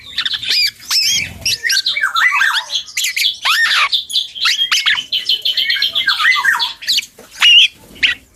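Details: Young dark-throated oriole rehearsing its song: busy warbling of high chirps, looping whistled slurs and a stretch of rapid repeated notes, ending in a few louder isolated calls.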